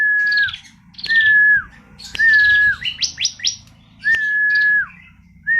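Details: A female bar-winged prinia repeats a level whistled note with a falling tail roughly once a second, mixed with buzzy rasping phrases and a burst of rapid rising sweeps.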